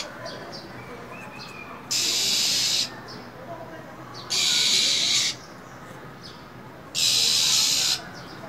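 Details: Female minivet calling nonstop in the winter cold to get a male singing: three loud rasping hisses of about a second each, spaced roughly two to three seconds apart.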